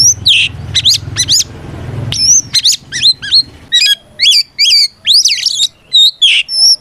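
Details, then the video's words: Oriental magpie-robin (kacer) singing its loud ngeplong fighting song, used as a lure to provoke other kacer into answering. Rapid bursts of high, sweeping whistles and sharp chips come in short phrases, with a low rumble underneath during the first two seconds. "Suara Burung kacer gacor NGEPLONG tarung ini paling ampuh buat PANCINGAN KACER agar EMOSI Nyaut"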